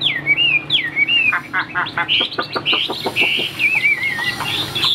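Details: Chinese hwamei, a tame caged bird and good singer, opens with looping slurred whistles, breaks into a fast run of sharp repeated clipped notes, then returns to wavering whistled phrases.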